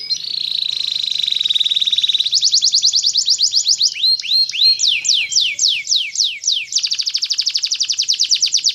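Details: Atlantic canary in full song, high and bright: a long buzzy trill, then fast repeated sweeping notes and rolling rapid trills, changing phrase every few seconds.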